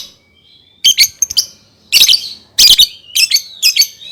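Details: Lovebird song for training young birds: loud shrill buzzy chirps in clustered bursts, several squeaky notes repeated quickly, with faint whistled tones between.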